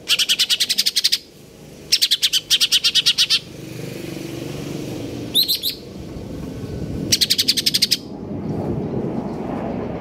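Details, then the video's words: Greater green leafbird in konslet kejer nembak style, delivering repeated bursts of fast, sharp, high-pitched pulsed chatter, several in quick succession. A brief squeaky note interrupts midway, and a low background rumble runs throughout. "cucak ijo konslet kejer nembak"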